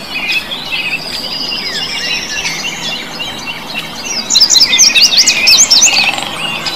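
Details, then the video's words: Blue bird singing a busy, high-pitched warbling song: a thin sustained whistled line with scattered chirps, then a burst of rapid sharp zigzag twitters near the end, steady background hiss. "BURUNG KICAU"BLUE BIRD"(Kicau Mania)Gacor"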